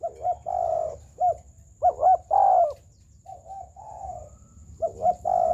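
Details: Spotted dove cooing in the round style (gù tròn) in a continuous run of short doubled notes and longer soft, sustained coos, some quieter and lower, with a faint constant high-pitched whine behind them.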